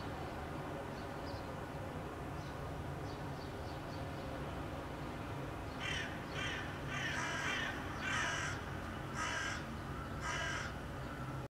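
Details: Hooded Crow calling in the background in Helsinki, Finland, in May 2013, while a Common Wood Pigeon coos nearby; after a quiet start, about six hoarse, harsh caws come in uneven succession over steady low rumbling noise.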